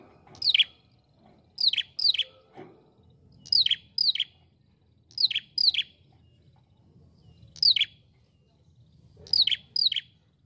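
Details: Ashy prinia, used as a lure call, giving sharp, high, down-slurred notes, mostly in quick pairs, repeated every one to two seconds over a faint low hum.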